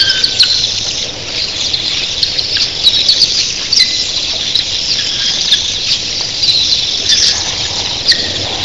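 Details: Thousands of red-billed queleas in early morning, a dense shrill chorus of chatter with short lower whistles at intervals and sharp ticks throughout.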